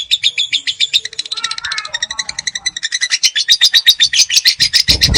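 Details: Long ngekek song from a young lovebird: a fast, even string of high, rasping trill notes repeated almost four times per second, growing louder toward the end, with a brief low rumble at the close.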